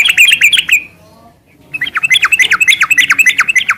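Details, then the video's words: Sooty-headed bulbul singing in the rapid, continuous ngeropel style. Bright, chirpy notes with strong overtones are repeated about three to four times a second. A brief quiet gap falls early, then the fast run resumes. "Suara kicau burung trucukan gacor garuda sambung ngeropel"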